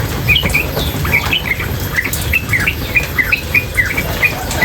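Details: Female sooty-headed bulbul, recorded with water sounds, uttering a brisk series of short sharp chirps, some doubled, spaced irregularly across several seconds above a low rumbling background.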